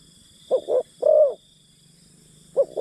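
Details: Spotted dove used as a decoy to entice wild birds, giving a soft low phrase of two short coos and a longer rolling croo, then the start of another phrase, with a steady faint electronic whine behind.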